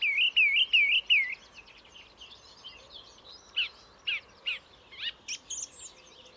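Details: Song thrush song opening with a looping, warbled whistle repeated four times, followed by softer twitters and a series of sharp, separated clicks and squeaks.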